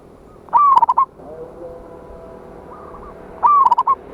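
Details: Local Indonesian zebra dove singing eagerly to provoke rivals, 26/1/25: two loud trilled coo phrases about three seconds apart, each rising then tumbling into clipped notes, with faint distant coos between.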